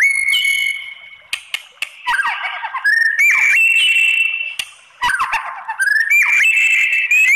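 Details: White-rumped shama singing to provoke rival shamas into replying; long steady whistled notes alternate with buzzy descending flourishes and sharp clicks, the phrases loud and varied across several seconds.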